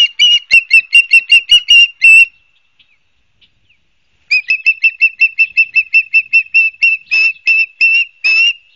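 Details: An osprey at a nesting pair's nest at Barnegat Light, New Jersey, 12 September 2022 at 16:34, gives two bouts of rapid, high, whistled chirps, several notes a second, with a short silence between them.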